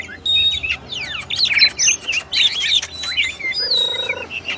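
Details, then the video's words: Oriental magpie-robin, called kacer, pouring out a varied song of steep downward sweeps, clear whistles and scratchy notes, ending with a long high whistle and a short low buzz nearby. "SUARA BURUNG KACER, MASTERAN PARA JUARA"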